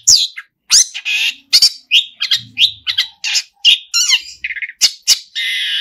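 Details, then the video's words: Long-tailed shrike delivering a lively song full of mimicked fills: a dense, varied stream of harsh squawks, scratchy buzzes, sharp chirps and brief trilled phrases with almost no pauses. "pentet full isian gacorr"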